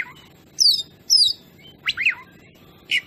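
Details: Oriental magpie-robin (kacer) song meant as a lure to provoke birds: clear descending whistles, then a rising-falling slurred note and a short final chirp, separated by quiet gaps.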